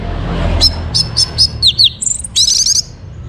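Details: Orange-headed thrush morning song from Singaraja, North Bali, meant to bring birds into breeding condition: several bright short notes, two downslurred whistles, then a high trill-like rattle.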